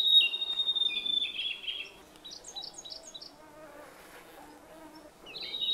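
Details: Blue-and-white flycatcher in Khingan State Nature Reserve, Amur region, Russian Far East. It gives loud high whistled phrases at the start and end, and a quieter rapid stuttering series of notes comes from the middle distance.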